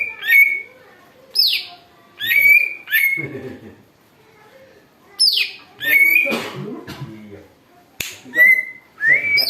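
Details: Greater green leafbird lure recording, a bird said to mimic eagle calls: loud held whistles alternating with high falling squeals, about every second early on, a silent gap, then more whistles and rising notes.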